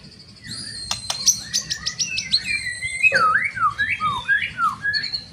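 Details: White-rumped shama singing loudly to rouse other shamas to fight: a rapid series of high ticking notes, then rich swooping whistles that dip and rise, over faint low hum.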